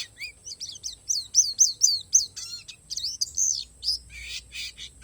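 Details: Oriental white-eye, palas variety of Borneo, singing isian alam: crisp high chirps sweeping down in a quick row, then buzzier mixed notes and a wavering whistle, against a faint constant high tone.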